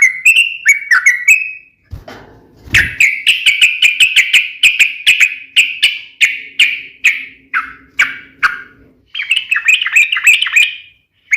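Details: Sooty-headed bulbul singing a sharp fighting song to provoke other bulbuls: a few warbled notes, then a long series of sharp chirps slowing down, ending with a faster jumbled burst.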